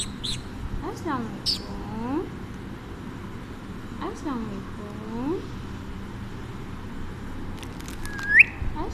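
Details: A talkative pet Alexandrine parakeet, sitting on its owner and being offered biscuits, talks: two drawn-out, wavering, voice-like phrases with a few sharp squeaks, then a short rising whistle near the end.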